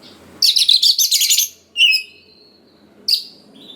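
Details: Vigorously singing Oriental magpie-robin used to rouse young wild birds: a fast, harsh chattering trill, then a clear descending whistled phrase, and a brief sharp note after a short silence.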